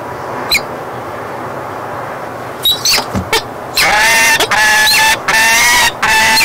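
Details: Falcon at the nest with its mate on 31 March 2016, just back from chasing off an intruding female, gives harsh, drawn-out wailing calls in quick bursts, rich in overtones, after brief clicks and scrapes.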